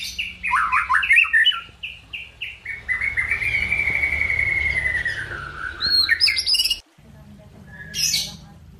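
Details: White-rumped shama (murai batu) song: quick descending whistled notes run into a long, sustained buzzy note, followed by sharp high flourishes, over a steady low background hum.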